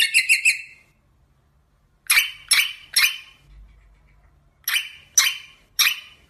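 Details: Rosella calling: a quick trio of ringing notes, then two spaced groups of three loud, sharp, harsh notes each, with quiet gaps between the groups.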